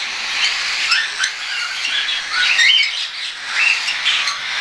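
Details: Hand-tame young cockatiels, weaned and unweaned, chattering; a busy wash of chirps with short upward whistled squeaks repeated irregularly.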